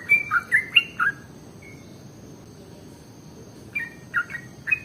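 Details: Lure recording of sooty-headed bulbul: a short run of four rich, warbled whistled notes, then a pause and three more liquid phrases near the end, over faint hiss and a thin steady high tone.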